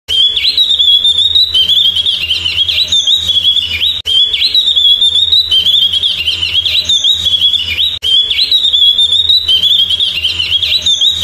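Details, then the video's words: Javan grey-throated white-eye (opior jawa) giving a continuous run of high, clear whistled and warbled notes with quick rising and falling slurs, a roughly four-second passage repeated three times with abrupt breaks, over a low steady hum. "SUARA BURUNG OPIOR JAWA"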